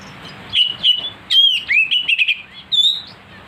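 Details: Provoked oriental magpie-robin (kacer) in heated song: short clipped whistles, then a bright rising-falling whistle leading into rapid buzzy chatter and a final clear high whistle, all within a few seconds over a faint low hum.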